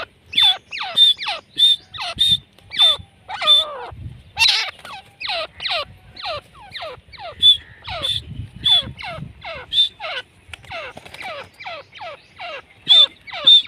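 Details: Calling francolin (teetar) in Pakistan, kept for hunting wild birds; a long run of harsh falling notes, each topped by a thin whistle, repeated rapidly, around a hundred a minute.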